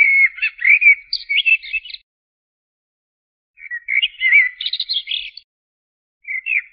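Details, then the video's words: Common blackbird (Turdus merula) singing two or three melodious, warbled phrases that end in a squeaky twitter, with pauses of about one and a half seconds between phrases. "تغريد طائر الشحرور ( جحمومية - الزرياب ) Turdus merula"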